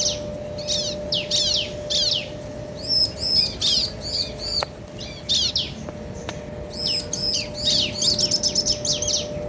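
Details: Pair of bar-winged prinias, male and female, calling in turn to rouse other birds; short groups of sharp falling notes, then quick runs of high looped chips, with gaps and a couple of faint clicks.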